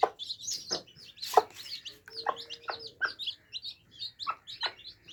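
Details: A group of baby chicks quenching their thirst: dense, shrill cheeping at steady high pitch, with sharp clicking knocks scattered through and a brief low hum near the middle.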